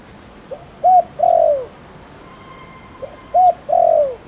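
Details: Spotted dove, also called cu đất, in a Thổ Đồng call used to make other doves call; two phrases of a soft lead note, a short coo and a long falling coo, with a faint steady tone between.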